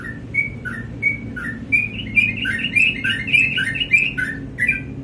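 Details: Sooty-headed bulbul singing in the morning, a lively run of short whistled and warbled notes around the same pitch, starting sparse then becoming a fast, dense chattering phrase; low background hum throughout.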